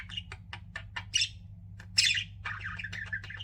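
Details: Pet budgies deliver clipped ticking chirps, then loud buzzy squawks and a scratchy warbling chatter, with a steady low hum behind.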